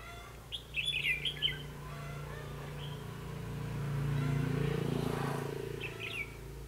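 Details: Red-whiskered bulbul decoy singing during trapping, with quick chirpy warbled phrases at the start and again near the end, separated by a stretch of low rumbling background noise.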